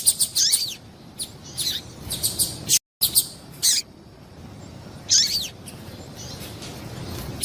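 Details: A female double-collared seedeater gives calls meant to heat up caged males: clusters of high, scratchy chirps and falling swoops, broken by a brief silent gap, then sparse single notes against low steady hiss.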